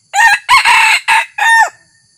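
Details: Red junglefowl decoy rooster, newly trained and taken out for the first time to lure wild junglefowl, crowing loudly. The crow comes as four harsh, hoarse bursts over about 1.6 seconds, with a short gap before the last, in a quiet background.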